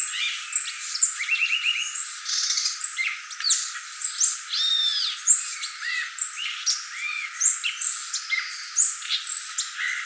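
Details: Violaceous euphonia: an unbroken chatter of sharp high notes, a brief rattling trill, arched whistled slurs and squeaky twitters, all rapid and irregular.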